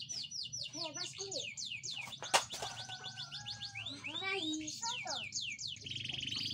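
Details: Canary singing a long tutor song for training other birds, quiet and continuous, with rapid falling whistled strokes, lower warbled notes, a sharp click, and a closing buzzy trill over faint low hum.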